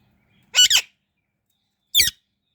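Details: Indian ringneck parrot gives two loud, rasping screechy chirps, the first a quick doubled burst, the second a single harsh note about one and a half seconds later, against near silence.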